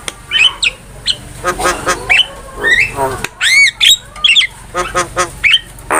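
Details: Javan myna song used as a master recording for training cage birds: softer, nasal chattering notes and harsh rasps, with a few clear curved whistles rising and falling near the middle.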